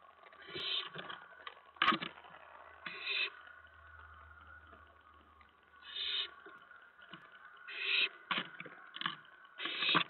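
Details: Owlets pouncing in the nest around 2 AM on 10 September 2017 as a parent brings a mouse. Clusters of harsh, hissing screeches in quick uneven bursts, with a brief low rumble in between.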